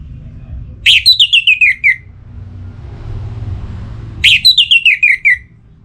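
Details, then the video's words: Orange-headed thrush kept in a cage in north Bali, in breeding condition and calling a rival: two loud phrases, each a sharp high note falling into a stuttered, descending chain of about eight notes, over a low background hum. "ANIS MERAH Gacor Pancingan Birahi & EMosi Burung || Kicau memanggil lawan"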